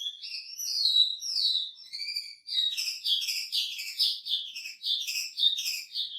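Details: Wambi singing energetically with a rich, varied fill, opening with slurred high whistles that rise and fall, then breaking into a dense run of fast, sharp chirped notes and trills that continue to the end.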